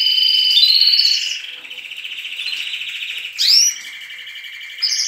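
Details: Canary chicks singing along with adult canaries at dawn in a breeding aviary; steady rolling trills and buzzy tones, interrupted by a sharp upward-sweeping whistled note and a later brief chirp.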